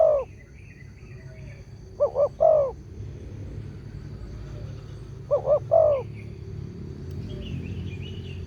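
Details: Spotted dove calling as a lure for other doves: two three-note coo phrases, short-short-long with a falling last note, several seconds apart over steady low background rumble and faint higher chirps.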